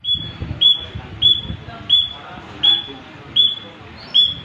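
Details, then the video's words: Tame white-headed munia singing: thin, high, level whistled notes repeated steadily about every three-quarters of a second, over a low rumble of background noise. "Burung Emprit Kaji (Emji) Gacor"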